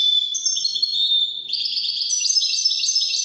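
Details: European goldfinch, widani song style, delivering an unbroken, high, chattering twitter that shifts into a denser, brighter run halfway.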